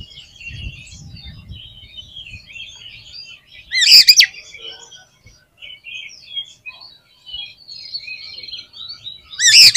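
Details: Actively singing Oriental magpie-robin used to stir other magpie-robins: a steady background of soft chirps and warbles, broken by two loud, sharp bursts of rising whistles several seconds apart, with low rustling early on.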